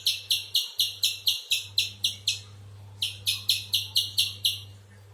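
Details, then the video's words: Two bursts of rapid, high, sharp chips from a spiderhunter, separated by a short pause, with a low steady hum underneath. "Burung pijantung besar"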